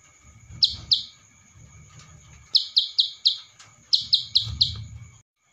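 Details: Ciblek sawah masteran training song in Cililin style, meant for tutoring other songbirds: sharp bright chirps in pairs and quick runs of four, separated by pauses, over a steady high whine and a low rumble.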